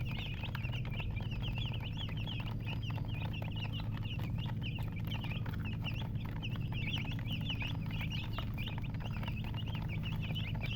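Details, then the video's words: A group of chicks cheeps nonstop for about ten seconds: quick, piercing, high peeps packed closely together, with a low steady hum in the background. "Baby "Chicks Chirping" Sound"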